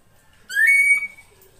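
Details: Female drongo call used to draw in a male: a single rising whistle that flattens into a sustained clear note lasting about half a second, over a quiet background.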